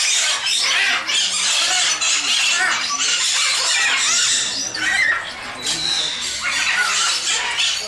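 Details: At Bošovice Zoo in the Czech Republic, sun conures squawk in harsh, grating bursts, roughly one per second and uneven, with a few clearer whistled notes mixed in.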